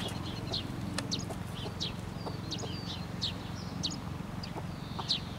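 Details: A golden broody hen sitting on nine eggs for nearly 21 days, feathers puffed, keeps up a low rumbling growling churr with steady pulses; short thin high chirps, apparently chicks calling from the nest eggs, break in above.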